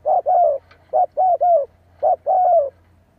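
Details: Spotted dove giving repeated cooing for decoy training: three quick paired phrases, each a short coo followed by a longer, slightly descending mellow note, roughly one pair per second.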